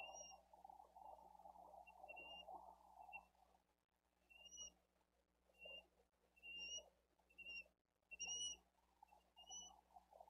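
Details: Younger bald eagle chick begging for food at a wild nest in Dade County on 13 April 2023, while the adult female feeds the eldest chick after the male brings a fish. Thin, high whistled peeps come in short irregular bursts over a steady low hum and rustling.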